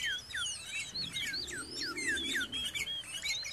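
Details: Sooty-headed bulbul (cangkurileung) close by a house: a continuous tangle of clear, looping whistles, downward-swooping and upturned notes overlapping throughout, over a soft low hum.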